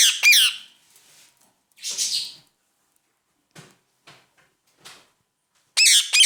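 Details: Pet ring-necked parakeet chatting to itself while eating a peanut: a pair of harsh, high squawks opens, a rasping burst follows, then faint scratchy nibbling sounds, and a final pair of sharp squawks ends.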